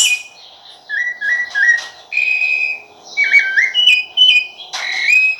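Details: Rufous-bellied thrush singing clear whistled phrases, some steady and some rising or bending, each about half a second long, separated by short pauses. A few harsher high notes are mixed in, with a faint background hum.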